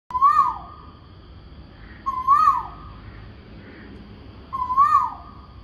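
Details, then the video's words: A noisy bird calling in the morning with a 'ku oo' pattern: three loud, clear, hooting whistled notes, each rising then dropping, spaced a little over two seconds apart, with soft fainter notes in between. "Ku Oo..Ku Oo.. Noisy Bird in the morning"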